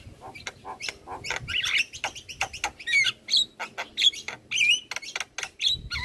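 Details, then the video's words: Javan myna master song for teaching other birds, said to make birds that hear it sing along: rapid bursts of sharp clicking notes mixed with short whistled phrases and warbles, dense and energetic throughout. "Jalak kebo Gacor Parah Bikin Burung Lain yang Dengar Ikut Bunyi - Masteran Jalak Kebo Juara"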